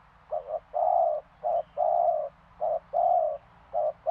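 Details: Spotted dove cooing: low, hollow coos in paired phrases, a short note followed by a longer drawn-out coo, repeated roughly every second over a faint steady background hum.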